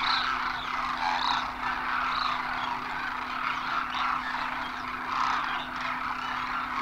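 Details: Large flock of Demoiselle cranes (Koonj) landing during winter migration at a water hole in Khichan, Rajasthan, India, after crossing the Himalaya; rolling, croaky calls pulse from many birds at once, with a few higher notes and a steady hum.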